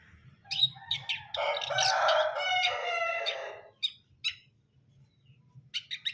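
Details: Long-tailed shrike, brundol-style song: a few scratchy chirps lead into a long, loud, buzzy, nasal phrase lasting over two seconds. Then a brief pause follows before more sharp chattering notes.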